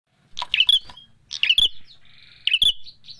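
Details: Bar-winged prinia calls recorded as fighting birds: three sharp chirping bursts about a second apart, each mixing high twittering notes with dry, clicking snaps, with a faint trill between bursts.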